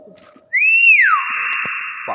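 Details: Common hill myna mimicking speech, giving a loud clear whistle that rises, arcs and falls, then holds a long harsh buzzy note, ending in a short low burst.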